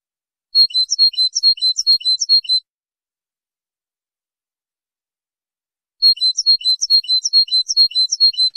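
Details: European goldfinch song meant for tutoring birds, recorded cleanly: a two-second run of fast, bright, metallic twitters, a three-second gap, then another similar high-pitched burst of repeated chirping notes.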